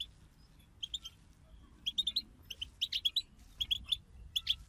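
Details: European goldfinches in a group 'bataba' twittering chorus, used to stir a goldfinch into song: bursts of bright, high chirping notes in quick runs of three to five, separated by short pauses over a low background hum.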